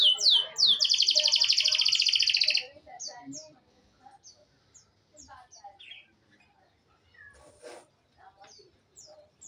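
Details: Canary singing a loud, fast buzzy trill of rapidly repeated high notes for about two and a half seconds, followed by scattered faint chirps and short whistled notes.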